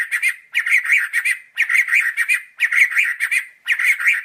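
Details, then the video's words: White-rumped shama (murai batu) giving harsh, buzzy squawking phrases, each under a second long, repeated about once a second with short gaps between them. "Masteran Suara Burung Murai Batu"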